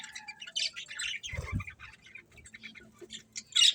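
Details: Pet budgerigars chatter in scattered high squeaks and short warbled notes, broken by a brief low thump midway, over a quiet steady hum.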